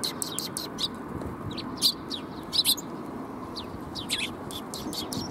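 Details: Sparrows greeting on the way out, recorded 25 March 2021: scattered short, sharp chirps at irregular intervals, a few louder ones standing out, over a steady broad rumble of background noise.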